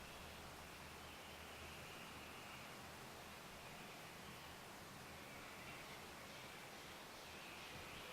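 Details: Steady, even hiss of broadband outdoor noise with a low rumble underneath and no distinct animal calls.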